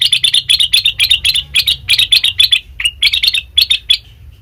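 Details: Rapid rhythmic chips of a sooty-headed bulbul, played as a lure to make other birds respond; clusters of scratchy notes repeated several times a second, with a brief pause and a single lower note midway.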